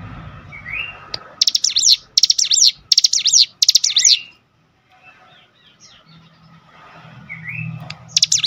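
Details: Cinereous tit provoked into song by a lure recording. A short upslurred whistle is followed by five quick, high, buzzy phrases in a row. A quiet stretch with low hum follows, and a new phrase starts at the end.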